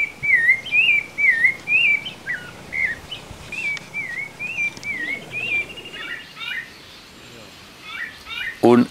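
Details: Creamy-bellied Thrush, hidden in a bush by its nest and tending chicks beside a mountain stream near Ascochinga, Córdoba, Argentina, 2020: clear, wavering mid-pitched whistles about twice a second, then varied down-slurred notes, ending in a sudden loud thump.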